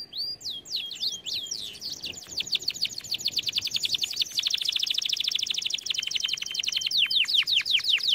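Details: Canary singing for song training: a few swooping whistles, then a long, rapid, evenly repeated trill that speeds and steadies before closing with louder falling notes.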